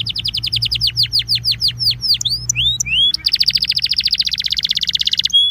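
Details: Warm-up song of a Belgian canary: repeated downward-sweeping whistles, a handful of slurred upswept notes, then a long, very fast, high rattling roll to the end, with a faint low hum beneath.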